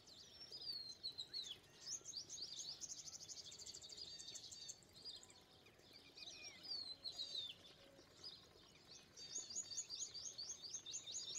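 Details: Indian pied myna chatter: rapid high trills and squeaky liquid notes in repeated bursts, a few clear whistled slurs between them, many birds overlapping.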